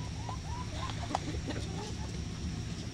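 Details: Farm chickens and hens coming to eat in the morning, giving several soft, curved, nasal clucks in quick succession over a constant low hum and light background clatter.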